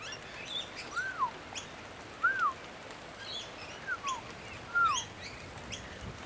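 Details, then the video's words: Noisy miner on a rainy day in Brisbane, Australia, among a flock of about 35–40 birds of some four species, gives soft, arched whistled notes that rise then slide down, four in about six seconds, amid steady rain hiss; not an alarm call. "that's another sound that the noisy miners make. That"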